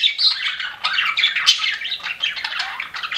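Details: Pet budgies chirping in a steady, busy stream of warbled squeaks and buzzy twitters, the chatter unbroken for the whole stretch.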